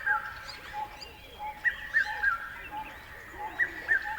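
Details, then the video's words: Short stretch of bird chirping where a clear three-note downward whistled phrase sounds twice, surrounded by busy high twittering from other birds and a faint repeating tone. "Beautiful Birds Chirping Sounds"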